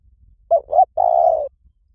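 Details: Spotted dove call used as a trapping lure: two short cooing notes, then a long burry, vibrating coo that slides gently downward. Quiet background.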